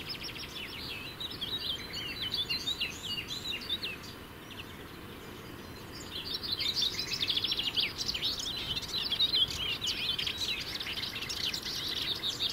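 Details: Melodious warbler holding territory from a shrub top in the Brenne, France; two bursts of hurried scratchy warbling, a short phrase then a longer, louder chattering run after a pause, with faint background birds.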